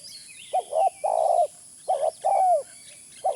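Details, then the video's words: Spotted dove recorded as a lure sound. It gives low, hollow coos in pairs: a short doubled note, then a longer note that slides downward. The pattern repeats about twice in three seconds, with faint high chirps of other birds behind. "Suara pikat terkukur original"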